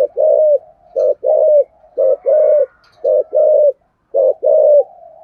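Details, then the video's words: Decoy spotted dove giving 'thúc gù' coos, a calling voice used to lure doves: paired low mellow notes, a short coo then a longer drawn one, repeated in clusters with brief pauses. "cu gáy thúc gù giọng thổ hay, tiếng chim cu mồi gáy gọi"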